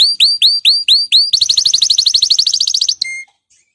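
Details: Male canary singing excitedly ahead of breeding: six loud hooked whistles, each rising then curling down, lead into a rapid trill of clipped high notes, finishing with one thin steady whistle before silence.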